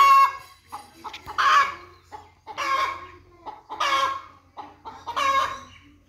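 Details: Chicken clucking and squawking in a loud, rasping, nasal series: strong bursts roughly every second and a bit, interspersed with short softer clucks and a faint low hum underneath.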